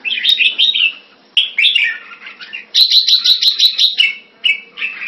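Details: Singapore cage bird, a red-whiskered bulbul kept Thai style, February 2018, giving short warbled phrases, then a fast series of about eight evenly repeated bright chirps, ending with two more brief phrases.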